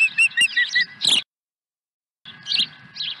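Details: Osprey at its nest at Dunrovin Ranch on 23 April 2020, arriving with a second fish: a quick run of high, clipped whistled chirps, then a sharp burst, a brief silence, and more chirping with background hiss.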